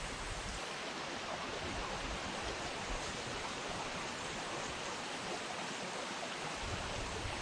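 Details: Constant rushing of flowing water fills the recording, with no animal calls.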